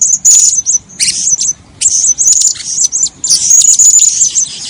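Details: A vocal female blue-crowned hanging parrot kept for breeding produces streams of sharp, very high chirps and thin level whistles, grouped in bursts with brief quiet gaps.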